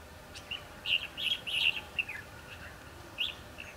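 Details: Red-whiskered bulbul giving fighting song during a trapping session using a decoy bird, 22 December 2015: a run of short, bright whistled notes in quick succession, then a brief pause and a lone phrase near the end.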